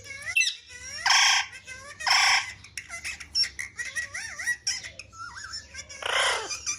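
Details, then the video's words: Pet parrot playing with a mobile phone indoors, letting out loud harsh broadband squawks at about one-second intervals, between them wavy warbled whistles and short chattering notes. "Parrot funny talks and playing mobile"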